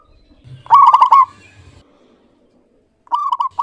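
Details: Zebra dove of local strain giving one loud, rapidly trilled coo phrase, then a short silence before another softer rippling phrase begins.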